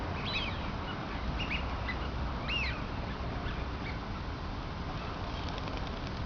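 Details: Duck calling: a few faint, short, whistled notes that rise and bend, clustered near the start and again mid-clip, heard over a constant low rumbling background noise.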